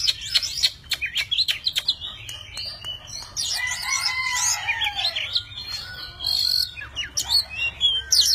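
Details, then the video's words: Tame Oriental magpie-robin, dancing with spread wings and fanned tail, singing in many voices; a run of rapid clicks and ticks, then rich tumbling whistles and sweeping slurred notes, ending in sharp chips. "Chim chích chòe than thuần, hót múa cực hay"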